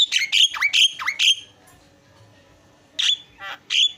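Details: Javan myna kept in a cage and used as a master for training other cage birds; four loud squawking whistles swoop down and up, then a long quiet gap before three more harsh notes.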